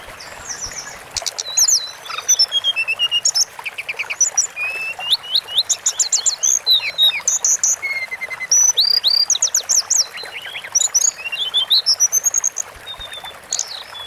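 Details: Sunda forktail in a long-duration masteran recording, singing a dense, varied sequence of very high whistles, rapid trills and slurred squeaks in near-continuous bursts.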